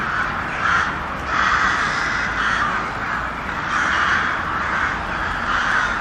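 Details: Loud crow cawing from a crowd of birds, coarse throaty calls surging in regular bursts over an unbroken background of more caws.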